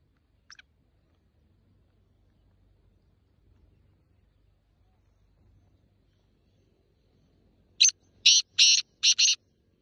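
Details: Black francolin (Francolinus francolinus) call: a single brief chirp, then a short burst of four harsh, grating notes.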